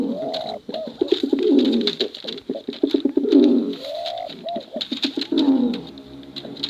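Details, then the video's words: Deep cooing by contest pigeons, male and female: bubbling low coos repeat in bursts, broken by a drawn-out rising note, with sharp ticking clicks throughout. "Suara Bekuran Burung Merpati Lomba Hutan Dara"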